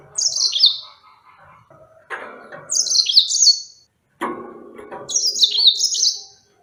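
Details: Three bright, high twittering phrases of a yellow-fronted canary, each a quick run of notes stepping downward. The phrases come about every two and a half seconds, with lower rustling and clattering noises between them.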